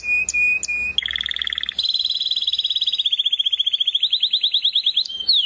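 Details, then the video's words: Canary with a couple of thin high notes and a flat tone, then a long, continuous rolling trill that slowly shifts in pitch. It ends with a quick downward slur. "زقزقه العصافير طيور الكنار كناري"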